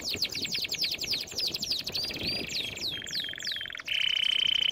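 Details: Canary training song with a series of quick high chirped sweeps, then slower drooping whistled notes, ending in a bright steady high trill held for nearly a second.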